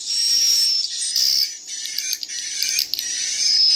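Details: Swiftlet chicks calling in mixed voices, several characters at once, with dense high chirps packed close together, some loud and some soft, over a steady hissing wash of sound mixed with larger birds.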